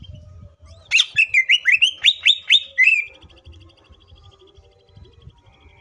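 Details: Green leafbird song used as a lure to prompt other leafbirds to sing: a quick series of eight loud, sharp whistled notes, each dipping and rising, followed by a fine, fast trill fading into soft background hum.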